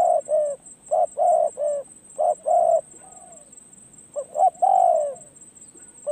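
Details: Decoy spotted dove training at a perch delivers low hollow coos. Short paired notes lead into a drawn-out downward-sliding coo, with a quiet pause mid-stretch before the next phrase begins.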